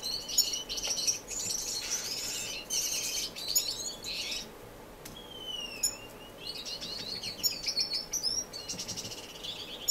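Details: Indoor community aviary of non-breeding finches in Edmonton, Canada, March 2015: bursts of buzzy high twittering alternate with quieter gaps, and a clear falling whistle followed by a rising sweep stands out midway.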